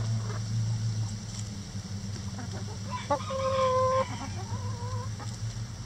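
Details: Rooster in a backyard coop crowing during enrichment with a hanging head of cabbage: a loud, sustained crow lasting about two seconds, ending in a softer trailing note, over a constant low hum and faint clucks.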